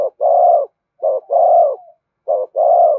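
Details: Urging coo of a spotted dove, used to excite decoy birds and train lure birds: three deep, hollow phrases, each a brief note followed by a drawn-out coo, at a steady pace.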